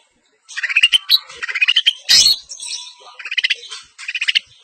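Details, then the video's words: A long-tailed shrike sings contest-style, East Javanese fashion: quick strings of bright chirps that rise in pitch, interrupted by one loud harsh burst, then more rapid twittering phrases. "pentet-top!!! pentet semi blangkon- bongkar isian -gaya juara - pentet jawa timuran"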